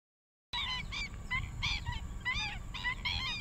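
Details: Juvenile black-winged stilt in paddyfields in Rompin, Malaysia, January 2023, giving a rapid series of nasal, yapping calls, two or three a second, some overlapping, over a low rumble.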